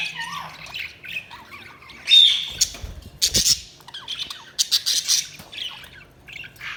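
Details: Budgies chirping and squawking in uneven bursts, sharp harsh notes mixed with soft warbles, plus a brief clatter in the middle.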